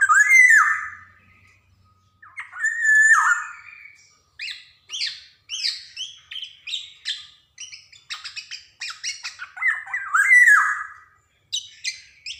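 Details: Black-naped oriole singing vigorously, recorded to stimulate young birds to sing: harsh nasal descending squawks alternate with rapid runs of short clipped chirps and whistles, repeated several times.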